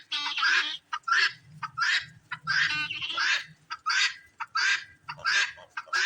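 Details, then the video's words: Female helmeted guineafowl in Lagrange, Maine, on a cloudy winter day around 36 degrees, giving her harsh, two-part call over and over in a steady rhythm; a call males do not make, usable for sexing. "That's a female guinea. A male will not make that call."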